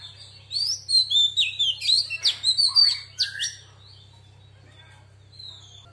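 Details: Song of a female Oriental magpie-robin in wild-voice style, meant to arouse males. About three seconds of varied clear whistles, chattering accents and downslurred notes, then near quiet with one faint whistle over a soft hum.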